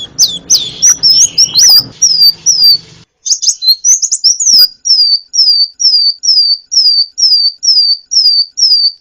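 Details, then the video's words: Sunbird (kolibri ninja) singing on a masteran recording for training cage birds. A busy jumble of sharp high notes gives way to a steady series of identical downslurred whistles, about two per second. Low hum early on. "masteran burung gacoan, Kolibri"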